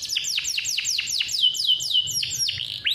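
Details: Captive male canary delivering steady, insistent song, recorded as training material for young canaries still learning. Rapid descending whistled notes repeat about four times per second, ending with a brief upward sweep.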